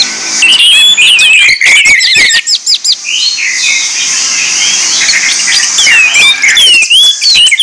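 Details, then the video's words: An Orange-headed thrush, used as a lure recording, pours out a rich, fast medley of high, varied whistles, slurs and trills with barely a pause, interrupted early by a few sharp clicks. "PANCINGAN ANIS MERAH"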